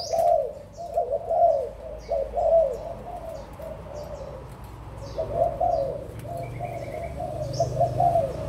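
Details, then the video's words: Overlapping mellow coos from adult spotted doves of Malaysian and Thai origin, 16 March 2022, rising in bursts about every second, with a brief pause midway and soft high twittering from other birds. "cu gáy trưởng thành malaysia và thailand"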